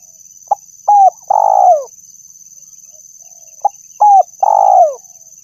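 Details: Spotted dove call used for luring birds: a short note, a two-part coo and a longer drawn-out coo, the whole low cooing phrase given twice, over a faint steady high hum.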